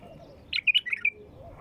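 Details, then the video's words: A wild bulbul gives one short, bubbly phrase of five or six quick, liquid whistled notes over about half a second, with quiet background before and after; used to prompt other bulbuls to sing. "تغريد بلبل وحشي"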